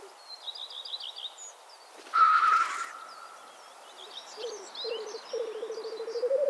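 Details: Black grouse at a spring lek in Karkonosze National Park, Poland, give one loud hissing sneeze, then low, dovelike bubbling rookooing, while small songbirds twitter high in the background.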